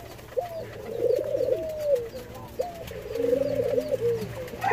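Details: Hand-fed Jamaican white-crowned pigeons give drawn-out, wobbling tonal calls, each opening with a brief upward flick, then a trembling level note; low hum and light rustling beneath.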